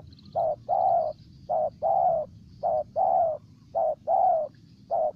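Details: Spotted dove recorded in Ninh Thuận, Vietnam, calling in a regular rhythm: short coo, long coo, four times over, ending on a single short note; soft high bird chirps faintly audible.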